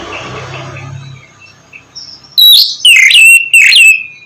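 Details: Oriental magpie-robin song meant to prompt a sluggish bird to sing; after a low hum and soft murmuring, three loud ringing whistled phrases with falling sweeps arrive in quick succession.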